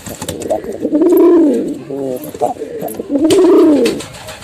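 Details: Pigeon pair, male and female, cooing in low rising-then-falling swells, two long coos separated by short stuttering notes, with a scrape of background noise.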